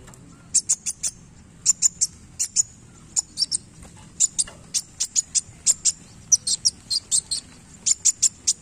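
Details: Vigorously singing sunbird flicking its tail: a sequence of very high, thin chips in loose groups of two to four, irregularly spaced, with faint low hum underneath.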